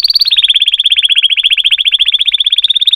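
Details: Canary holding one long rapid trill of bright, evenly repeated notes, dipping slightly in pitch at the start and then staying steady for the full three seconds.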